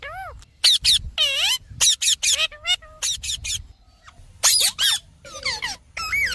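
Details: Green parrot calling with slurred rising and falling whistles, rippling harmonic cries and sharp screeches in irregular clusters, with a short quiet gap midway.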